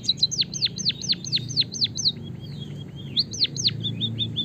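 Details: White-headed munia giving fast, high chirps that plunge downward, about two a second, with a brief run of soft twittering in the middle; used to stimulate kept birds to sing. A low hum sits underneath.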